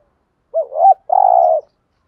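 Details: Spotted dove cooing in the 'thúc gù' lure style meant to provoke wild doves: a bouncing two-lobed note rising at its end, then a drawn-out, evenly buzzing low coo.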